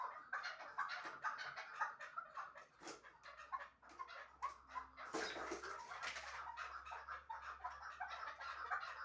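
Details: Chukar partridge kept for hunting in Shahritus, Tajikistan, giving dense, rapid chuck-like clucking notes that run almost continuously. There is a short louder, noisier burst midway.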